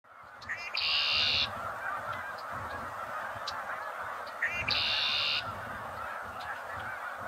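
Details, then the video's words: Red-winged blackbird singing twice: brief clipped introductory notes, then a harsh buzzy trill lasting under a second, the two songs about four seconds apart over a steady hiss of background noise. "Red-winged blackbird | birds singing"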